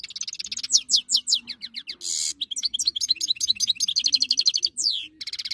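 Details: European goldfinch singing in 2022, a continuous rapid twittering of liquid, slurred high notes with a brief harsh buzzy rasp partway through and a faint low hum underneath.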